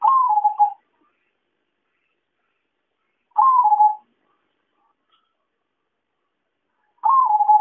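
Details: Zebra dove call for luring birds to a trap: three short, burbling coos, each stepping down in pitch, spaced about three and a half seconds apart in quiet surroundings.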